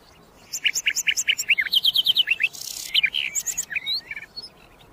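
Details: A common nightingale, sikatan londo, sings a long, fast string of repeated notes shifting to higher paired notes, followed by a harsh burst and scattered rising whistles.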